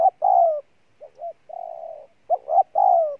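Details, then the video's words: Spotted dove (bổi) cooing in the Vietnamese 'gù' style, loud and insistent: low mellow phrases, a short double note then a long falling coo, repeated after pauses, with no other sounds. "Con Bổi Gù Trâu Bò nhất năm"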